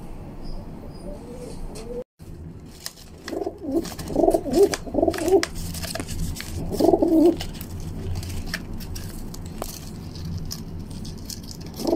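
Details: Young female rock pigeon, a kept bird pecking and fighting at a hand, cooing low and throaty in short bursts around the middle, with steady background hum and scattered clicks and knocks.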